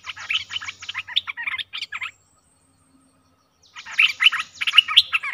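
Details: Streak-eared bulbul: two spells of rapid, rattling chirps and bubbly notes, about two seconds each, separated by a silent gap of well over a second.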